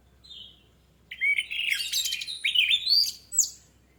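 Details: Orange-headed thrush singing, a recording used as a lure to prompt singing: a faint high whistle, then a loud rich burst of varied warbles, trills and rising whistled notes for about two and a half seconds, ending in a high note.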